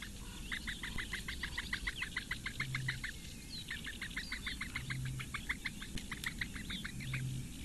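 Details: Eurasian bittern chicks begging at their nest in the reeds of Lake Engure, Latvia, on a May morning as the female feeds all four; quick ticking notes in long runs, with a low repeated hum in the background.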